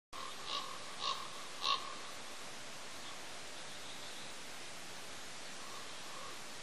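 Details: Raven visiting an empty bald eagle nest at Pelican Harbor on Father's Day: three harsh calls about half a second apart, then quieter ones later, over steady wind noise.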